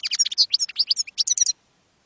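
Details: Campero-style song of a European goldfinch for teaching young birds: a fast, dense run of bright liquid chirps and twitters, each note sharp and varied, lasting about one and a half seconds before stopping.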